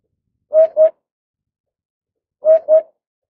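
A Eurasian hoopoe gives soft, low, hollow 'oop-oop' notes in pairs, each pair about two seconds apart, against a quiet background.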